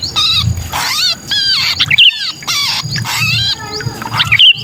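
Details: Pinched distress calling ('kejepit') of a sooty-headed bulbul, meant for luring bulbuls that are reluctant to come down: loud grating squawks in dense bursts broken by brief pauses, with a few sharp whistled notes and a faint low hum.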